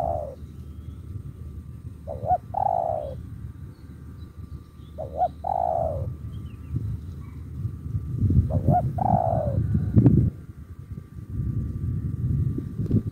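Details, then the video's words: Captive spotted dove in 'thúc gù' style: short paired coos leading into falling drawn coos, three phrases spaced a few seconds apart, over a steady low rumbling and knocking background noise. "Thúc gù"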